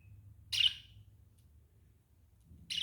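Two short, harsh chirps from a budgerigar, separated by about two seconds of near silence.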